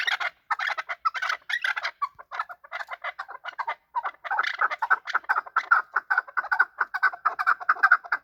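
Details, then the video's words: Fighting chukar partridge, a hunter chakor; continuous clucking chuck notes, irregular at first, then settling into a fast, steady rhythmic series. "Chakor fighting and making voices / chakor ki awaz / chakor calling / chakor voice"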